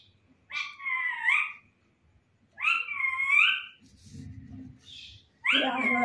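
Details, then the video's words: Indoor talking parrot copying a cat: two long, bending, nasal meows about two seconds apart, then low rough muttering and a sudden harsher, lower cry at the end. "बोलने वाला तोता #बिल्ली की म्याउ और #कुत्ते जैसा भोकता है"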